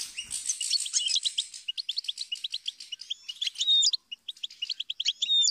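A goldfinch sings a fast, tinkling run of bright twitters and chirps, with a few clear whistled notes and liquid trills mixed in.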